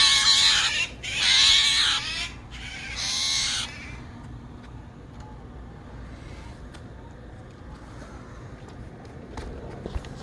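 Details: Angry young Steller's jay that fell out of its nest, calling during rescue: three harsh, raspy screeches in quick succession, then quiet with scattered clicks and handling noises.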